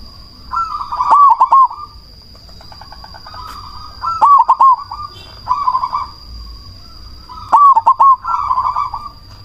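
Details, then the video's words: Cemani zebra dove, a loud persistent caller, singing as a lure to provoke other doves to reply. Stuttering phrases of quick, bouncing coo notes, each followed by a rolling purr, repeat about every three seconds. A faint high steady whine persists. "Perkutut cemani gacor suara BESAR pancingan ampuh bikin lawan langsung nyaut"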